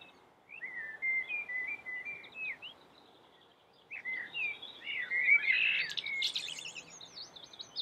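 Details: Common blackbird in active, melodious song: two phrases of mellow, slurred whistles separated by a short pause. The second phrase ends in a louder, high, scratchy twitter, against a steady background hiss.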